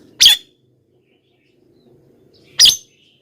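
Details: Javan myna call meant to draw wild mynas closer: two brief, harsh, noisy bursts about two seconds apart against a quiet background.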